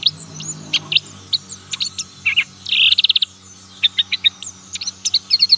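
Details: Young black-capped white-eye learning to sing in the ngalas nembak style; rapid high chips and short whistled notes, a brief buzzy trill in the middle, then quick repeated sharp tweets.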